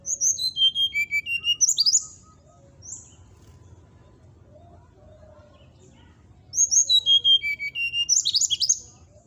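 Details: Brown-chested jungle flycatcher singing to provoke rivals: two phrases of clear whistles falling in pitch, each ending in a tangle of high twittering notes, separated by a quieter gap.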